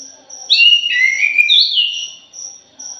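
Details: Thrush, punglor jali, heard in a lure recording: a loud, fluid song phrase of gliding whistles and buzzy trills, with faint high insect pulses before and after.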